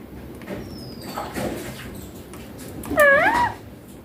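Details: A green baby Indian ringneck said to speak clear Hindi words such as mummy papa gives one rising, slightly wavering harmonic phrase of about half a second after a quiet stretch with faint thin whistle.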